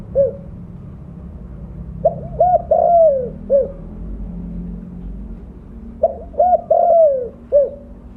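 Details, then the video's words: Spotted dove with mottled plumage and a loud voice, used to lure others: two cooing phrases several seconds apart, each of clipped hoots, a long falling coo and a short closing note, with low hum between. "Terukur blorok gacor suara besar cocok untuk pancingan bunyi."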